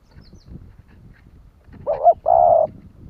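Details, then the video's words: Spotted dove cooing to stir other doves into calling: after a noisy low rumble, a short rising double note and one steady, drawn-out hollow hoot sound out. "Tiếng chim cu gáy kích bổi nhanh nổi"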